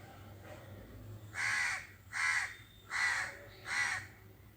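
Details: Four evenly spaced, rasping caws from crows, roughly one every 0.8 seconds, which silence the surrounding birds; a faint low hum runs underneath.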